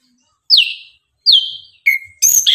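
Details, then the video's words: Orange-headed thrush singing in the morning, used as a lure to stir birds into singing: three loud, clear whistles sliding down from high to lower pitch, then a rich, jumbled burst of high notes. "Anis kembang gacor pagi hari, Pancingan naikan emosi agar Rajin bunyi"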